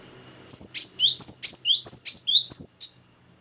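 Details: Great tit, called gelatik batu, singing vigorously: a steady series of about nine two-part phrases, each a high note dropping to a lower one, repeated roughly every quarter second for over two seconds.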